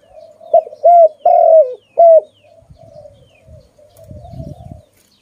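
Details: Four loud coos from a pet dove in quick sequence, the third longest and falling at the end, then quieter soft cooing with low rumbling noise.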